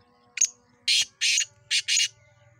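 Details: Black francolin calling in Sindh, Pakistan: five harsh, rasping broadband notes over about two seconds, a short opening note followed by two closely paired groups of grating bursts, with a faint low hum underneath.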